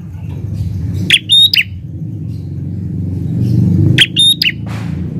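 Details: Prinia singing actively in a garden: two short, loud bursts of sharp, high chirps with bright ringing notes, about three seconds apart, over a steady low rumble of background noise.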